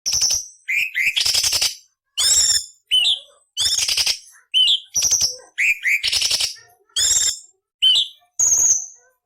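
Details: Cucak cungkok song used as training material for murai, cucak ijo and kacer: rough buzzy rattling bursts alternate with short rising whistled notes and high thin trills, in about a dozen phrases separated by brief silences.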